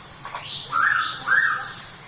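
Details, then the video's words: Pitta calling at Tha Pom, Krabi, Thailand: two clear, arched whistled notes in quick succession, each rising then falling, over a steady high insect drone. "แต้วแล้ว ณ ท่าปอม@กระบี่"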